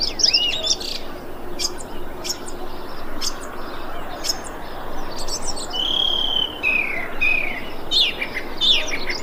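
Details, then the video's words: A thrush calling on 25 February 2021 gives short clear whistled phrases and high thin notes, some sliding downward, over a steady low background hum. "Thrush bird calling"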